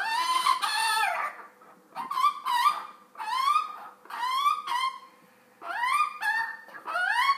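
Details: Pet magpie squawking nonstop while its owner feeds it: a long run of harsh, wailing, upward-sliding squawks, some drawn out and some clipped, in uneven clusters with short pauses between.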